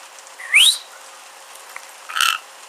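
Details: Pet rainbow lorikeet, known for mimicking speech, giving one sharp upward-sweeping whistle, then a short harsh chirp a second and a half later, in a quiet room.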